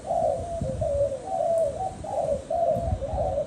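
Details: Spotted dove cooing: a steady series of soft, low, hollow coos, each slightly wavering, repeated about twice a second over constant background hum and low rumbling noise.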